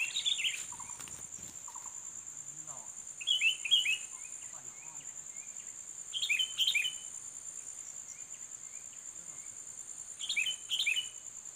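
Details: Sooty-headed bulbul, a combative bird being lured: short chattering phrases of three or four bright notes repeated every three to four seconds, with a persistent high insect buzz behind.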